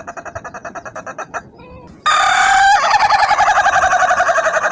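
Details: Ayam Ketawa rooster: a quieter pulsed run, a brief lull, then a loud, bright, rapid laughing crow of evenly spaced cackling notes.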